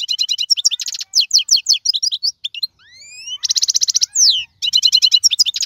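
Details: Song of a wild European goldfinch in 2022: dense tinkling chirps, a pair of rising whistled notes, a buzzy trill and a falling slur before more rapid twittering.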